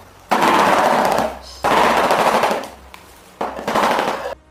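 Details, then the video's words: Shoebill stork clattering its bill in three loud, rapid, dry rattling bursts, each about a second long, separated by brief pauses, likened to machine-gun or brush fire. "এই সুবিল পাখির ডাক এতটাই ভয়ঙ্কর আপনি শোনার সাথে সাথেই মনে হবে এটি কোন বন্দুক দিয়ে ব্রাশ ফায়ার করার মতো।"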